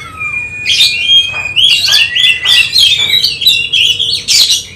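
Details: Oriental magpie-robin (kacer) in training for a songbird contest, singing a rich run of clear whistles, rising slurs and harsh buzzy notes in quick succession over a low hum.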